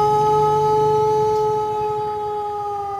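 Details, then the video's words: Rooster of the Pelung breed from Cianjur, West Java, giving a lure crow for other roosters: a steady, level, sustained tone with strong harmonics held throughout, slowly softening at the end. "Suara Kluruk Ayam Pelung Gacor Untuk Pancingan"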